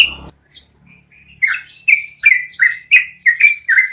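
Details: Yellow-vented bulbul, likely caged, giving a long rolling song meant as training audio for cage birds: a brief noisy burst, a few soft notes, then a fast run of bubbly, slurred mid-pitched notes, about three per second.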